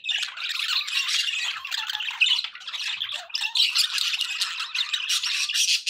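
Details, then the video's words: Captive budgerigars producing an unbroken flow of scratchy warbling, chirps and clicks, several birds overlapping in a steady high-pitched chatter. "budgie sounds for pet birds"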